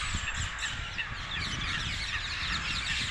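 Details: Dozens of parakeets gathered in trees south of Hackney Marshes, London, 18 February 2021: dense, continuous chorus of harsh, screechy calls from many birds at once, over a steady low rumble.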